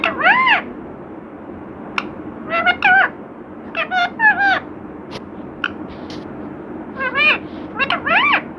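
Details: Talking pet parrot said to speak the words "Radhe Krishna"; a series of short, harmonic, voice-like syllables, some arched and some rising, in clusters across the clip with quiet gaps, over faint room background.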